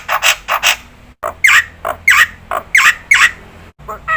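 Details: Black-winged starling calling loudly, its cry said to set other starlings calling: rough, scratchy squawks in uneven bursts, several broad grating screeches rising and falling, interrupted by short silent gaps, with low background hum.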